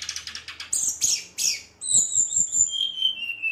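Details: Angry-sounding Brown-chested jungle flycatcher singing to provoke others: a quick rhythmic series of short notes, three loud buzzy bursts, then long high whistles dropping in pitch.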